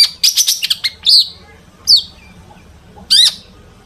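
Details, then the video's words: Long-tailed shrike singing imitation-rich song to draw other shrikes into singing; quick stuttering cluster of high chips followed by three separate slurred, buzzy whistles spaced about a second apart. "cendet gacor FULL ISIAN buat PANCINGAN CENDET AGAR BUNYI"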